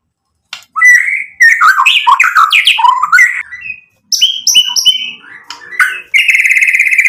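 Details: Vigorous song of a white-rumped shama, used to goad rivals into replying: swooping, warbled whistles in a tumbling sequence, a pause, repeated bright slurred notes, and a closing steady buzzing trill.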